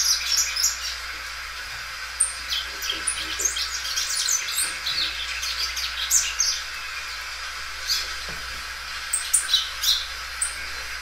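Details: Belgian canary in song, the loud singer stretching its phrases; here the notes come sparser, with scattered sharp high chirps and brief twittered runs against a steady background hiss.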